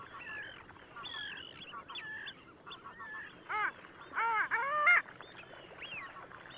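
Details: Long-tailed duck recorded at Liepāja, Latvia, in January 2024: a flock chatters with nasal, yodelling notes, then loud stacked honking bursts near the middle, several birds calling over each other.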